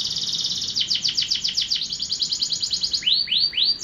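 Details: Canary singing a high buzzy trill that shifts into quick down-swept notes, then three slower, arched rising-and-falling whistles.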